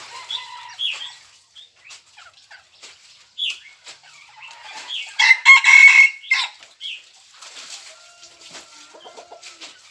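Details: Crow of a red junglefowl, 3 March 2020. Scattered short calls precede a loud, harsh, broadband crow in the middle of the recording, followed by quieter calls.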